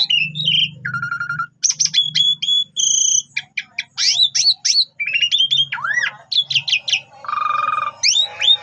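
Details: Asian pied starling singing a lure song to set other birds calling: a rapid string of whistles, clicks and sharp up-and-down slurs, a few held flat tones and one drawn-out buzzy note near the end.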